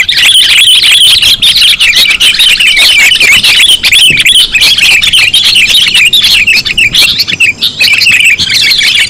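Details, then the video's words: Sooty-headed bulbuls in a lure recording: a dense, continuous chorus of high, bubbling chirps and short warbled notes overlapping without pause, several birds calling at once. "Suara pikat kutilang sangat sensitif"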